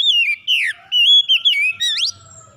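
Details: Oriental magpie-robin (kacer) song used as a lure to prompt a reluctant bird to sing: loud, clear whistled phrases sliding up and down, separated by brief pauses, with a final sharply rising whistle and faint low rumble behind.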